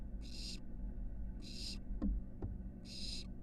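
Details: Barn owl nestling at a University of Florida nest box, exploring the porch and roof before first flights; three long rasping hisses spaced over a second apart, with a couple of faint clicks and low background hum.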